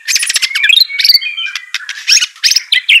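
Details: White-rumped shama song for training a bird reluctant to sing: dense, high, fast chattering notes mixed with short pure whistles and sharp chips.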